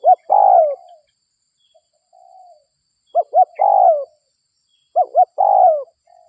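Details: Local spotted dove in a lure recording meant to draw other spotted doves. Three cooing phrases, each two short rising-falling notes and then a longer descending coo, with soft fainter coos between them.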